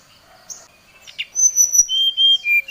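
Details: Oriental magpie-robin singing to call out a rival, agitated: thin high whistled notes held briefly, then clear steady whistles stepping down in pitch.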